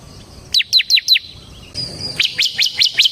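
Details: Ciblek semi (bar-winged prinia) song used as a lure and training model: four loud, sharply falling chirps, a short quiet spell with a thin high whine, then another run of five rapid chirps.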